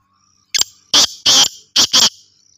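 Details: A kept Black Francolin calling in the winter season gives a loud, grating call: one short harsh note, then two rasping pairs in under two seconds, with quiet surroundings.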